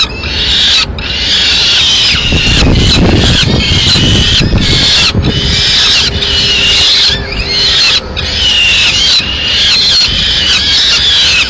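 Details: Peregrine falcon in Madrid, Spain, recorded 30 April 2016 as the female arrives carrying pigeon remains: grating, drawn-out screeching calls in phrases roughly a second long, with a deep traffic rumble swelling midway.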